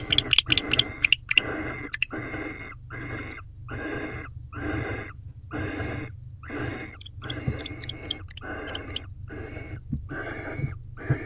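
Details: Wild female barn owl inside a nest box at night, 9:50 pm on 28 December 2023, expecting the male to mate while he guards the entrance; harsh breathy hisses repeated roughly every second, with scraping and rustling.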